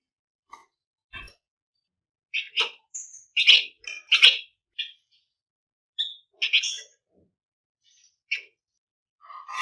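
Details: Flamboyan bird singing densely and rapidly to encourage other birds to sing: quick chips, a short pure whistle and buzzy notes, irregular, about eighty phrases a minute.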